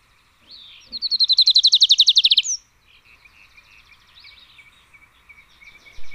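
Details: Song of Adelaide's warbler, a Puerto Rican native: a quick, high, buzzy trill of about twenty evenly spaced notes lasting roughly a second and a half, followed by faint, softer chirping in the background.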